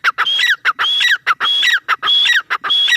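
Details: Repeated ringing calls of a grey francolin, each phrase starting with a clipped harsh note and climbing to a high whistle before sliding down, delivered in an even, rapid series.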